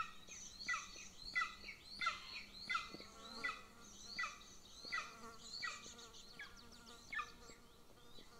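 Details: Nest-camera recording of Golden Eagle chicks near a military training field in Northern Estonia; the younger one begs while the female feeds the elder, giving a long run of shrill falling peeps, about one every 0.7 seconds, fading toward the end.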